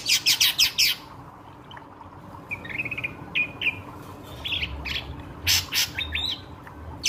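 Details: Ashy drongo lure song: a fast burst of harsh chattering notes, a soft pause with faint trills, then more chatter and short whistles, over a low constant hum.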